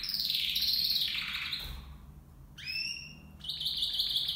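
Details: Copper mosaic canaries, two males and two females kept in a 30 by 40 by 60 cm flight cage, singing: a loud sustained high trill, a short pause, then rising whistled notes leading into a rapid repeated trill.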